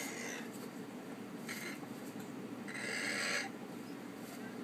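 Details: A male pet Severe Macaw, vocal and sexually aroused in springtime while humping his toy monkey, gives three harsh, raspy squawks, the last longest and loudest, over a steady low background hiss.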